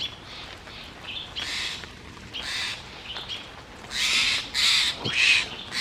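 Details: A Steller's jay mobs a perched barred owl, circling it to drive it from its territory. It gives harsh, raspy scolding alarm bursts, roughly one a second, louder toward the end, with faint human voices between calls. Langley, BC, 1 June 2024.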